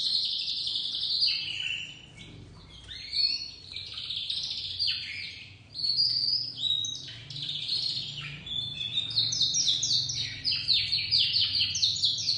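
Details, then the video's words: Song of a juvenile dominant white crested canary kept as a domestic bird: a long, varied, high-pitched warble of quick chirps, repeated trill units and sliding notes running almost without a break for twelve seconds. "Canário doméstico branco de topete começando a cantar"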